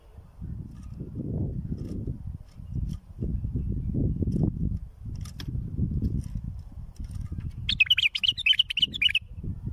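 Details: Bulbul song for tutoring fledglings arrives late, after long low rumbling noise: a brief cluster of sharp, jumbled whistled notes near the end.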